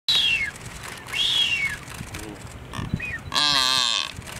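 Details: Blue-footed booby giving thin descending whistles, two clear ones in the first two seconds, then a louder whistled call with a buzzy lower tone, amid background noise.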